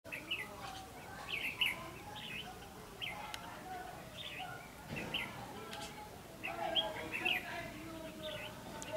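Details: Red-whiskered bulbul used as a decoy during bird trapping, singing the ngũ đoản song style, 16 October 2016; short bright warbled phrases around mid-high pitch repeat in bursts every one to two seconds, with low background noise.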